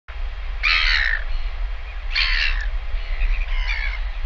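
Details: Northern royal albatross chick being fed lunch by a returning parent, seen on a live nest camera: three harsh, rasping bursts, the first two loud and about 1.6 seconds apart, the third fainter, over steady low wind rumble.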